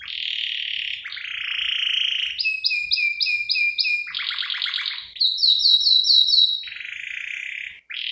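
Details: Lure and tutor song of an energetic canary with ornamented fill-in phrases: buzzy rolls alternate with tours of crisp repeated clipped notes, switching phrase types every second or so without pause.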